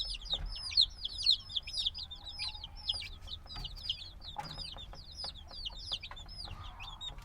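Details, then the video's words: Just-hatched black chicks, still needing their mother's warmth, chirp in a steady flock chorus of high curved peeps about two per second, with scattered clicks and rustling. "Baby Chicken Sounds - Baby Chicken Chirping Noises"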